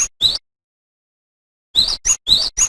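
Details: Cinereous tit, sung loudly as tutoring material for cage songbirds like white-eyes: one sharp high note and an upslurred whistle, a pause of over a second, then two fast pairs of the same bright, rising notes.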